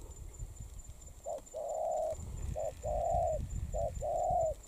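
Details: Spotted dove, currently moulting, cooing three times in short-then-long pairs, the long notes level and husky, over a low rumbling, shuffling background noise.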